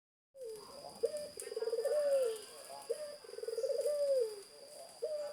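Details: Zebra dove singing energetically: a short rising note, then a long pulsed, bubbling coo that swells and falls, followed by another phrase. A steady high electrical whine runs throughout, and faint chirps from other birds sound behind it.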